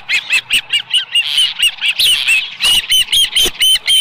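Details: Osprey at its Dunrovin Ranch nest on a July 2018 morning with a small live fish; insistent high whistled chirps repeated several times a second, steady and loud throughout.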